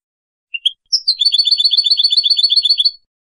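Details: European goldfinch male, Casablanca, Morocco, singing in the clean 'limpio' style: two lead-in chirps followed by a quick, steady trill of paired tinkling notes, about four per second, lasting two seconds.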